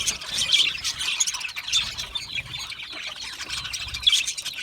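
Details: Contented budgie colony chatter: softer, steady high twittering with scattered clear whistled peeps standing out above the buzzy background chirps.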